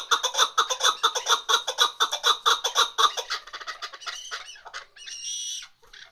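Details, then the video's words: Female chukar partridge giving a rapid, steady series of loud, clucking chuk notes about twice a second, which break up after four seconds into looser, scattered notes and a short harsh rasping sound. "Shikari Chakor Awaz Keklik Sesi Mada Zerka Madi Chakorشکاری چکور آوازمادی چکور آواز"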